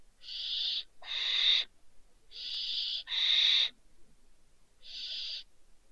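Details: Barn owl owlets, two chicks that fell from a balcony, Riet Vell reserve, Ebro Delta, Spain, December: rasping hiss-like screeches, each under a second, in uneven sequence of five bursts.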